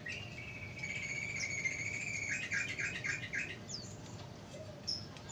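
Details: Sooty-headed bulbul song used as a lure for wild birds: a sustained, slightly wavering whistled note for about two seconds, then a quick burst of chattering notes, a few scattered chirps after, low hum behind.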